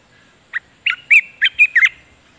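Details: Caged streak-eared bulbul singing as a decoy to draw in a wild bird. It gives six loud, rich, slurred notes in a rapid, slightly uneven run. The background is otherwise quiet.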